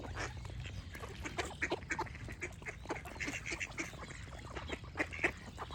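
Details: Ducks quack in quick overlapping runs with nasal, buzzy notes, while songbirds chirp lightly in between over a low rumble.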